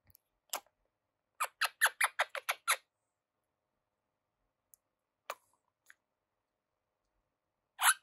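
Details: Pet Quaker parrot in its eleventh week, preening and relaxing: a quick run of about eight squeaky, scratchy chatter notes, then scattered single squeaks and a louder harsh squawk at the end, with silent gaps between.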